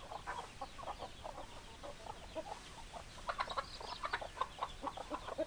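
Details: Several hens cluck in quick, choppy notes that grow louder and more crowded during the second half.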